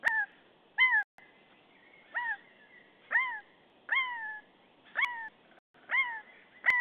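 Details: Common buzzard, possibly female, in Estonia on 25 March 2015, giving clear mewing calls: drawn-out down-slurred cries repeated about every second, seven or eight in sequence, over a quiet background.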